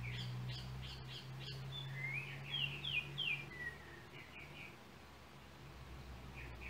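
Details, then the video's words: Yellow oriole of Trinidad, with a cell phone used in making the recording: rich slurred whistles in a phrase of descending and rising notes, preceded by quick chirps from another bird, with a low steady hum underneath. "Yellow oriole bird of Trinidad"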